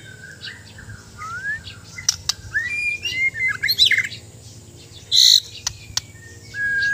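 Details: White-rumped shama, a Borneo-type bird from Sabah, singing: varied whistled phrases, short slurred notes and rising and falling sweeps with a few sharp clicks, loosely spaced, with some louder harsh bursts near the end over a steady low hum.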